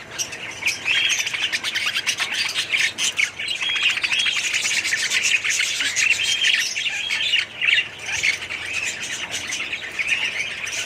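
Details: Budgerigars in a colony aviary, 2017, give rapid, dense twittering and chirping, many birds calling at once in a bubbling, scratchy chorus with a few short louder bursts.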